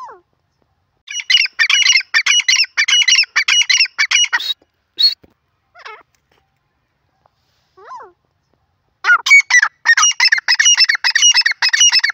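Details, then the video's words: Francolin (teetar) calling in two loud bursts of harsh, rapidly repeated scratchy notes, about eight per burst in even rhythm, separated by a quiet gap with a few isolated squeaks; no other sounds. "teetar ki awaaz part 20 pheasant birds sound"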